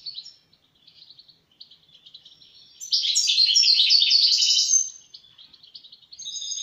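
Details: European goldfinch starts with soft, spaced twitters, then pours out a loud, dense, tinkling rush of rapid chirps and trills for two seconds before trailing off into quieter calls.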